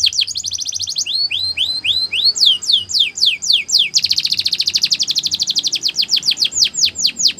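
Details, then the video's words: Canary training song: rising slurred notes, then descending swoops, then a long dense rapid trill that breaks back into loud falling swoops. "The Best Canary Sounds !! Canary Training"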